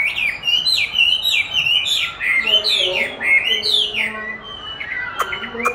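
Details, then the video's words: Caged Chinese hwamei singing against playback of its own recorded song during training: rapid loud whistled phrases with rising and falling slurs, many notes per second, a lower second voice joining midway, faint clicks near the end. "Dùng đúng giọng hót của nó để luyện hót cho nó(công nhận nó rất thích đấu với chính giọng của mình)"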